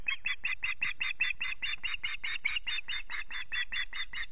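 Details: Osprey at the RSPB Loch Garten nest on a misty morning after the male's good fishing: loud, insistent piping chirps repeated steadily several times a second throughout, each note short and slightly hoarse.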